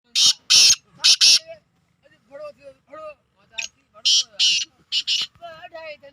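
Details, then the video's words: Black francolin giving harsh, grating bursts in quick pairs, a pause, then more rasping pairs, with soft clucking and chattering notes between the bursts. "Kala Teetar ki Awaz"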